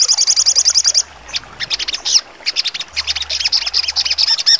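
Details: Sharp 'trotol' song of a sogon, for training contest songbirds: a one-second run of fast, high trilled notes gives way to loud, irregular chirps and short whistles that thicken into a busy chatter.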